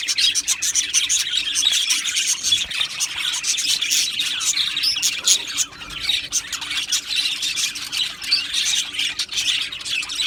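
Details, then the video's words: Budgerigar colony in an aviary, Australian parrots giving a long, dense chorus of high chirps, warbles and rasping squawks that swells and eases over ten seconds above a soft steady hum. "Australian parrot Chirping Sounds | Australian Budgies Parrot Singing Video"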